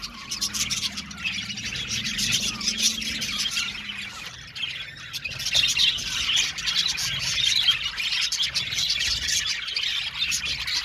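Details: A crowd of budgerigars chirping and warbling at once, the high chatter steady throughout with a faint low hum underneath.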